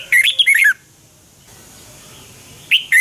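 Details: Morning song of a red-whiskered bulbul in the double-twist 'giọng xoắn kép' style for bird training: one rich, quick phrase of slurred, chirpy notes, a quiet pause, then two short notes closing.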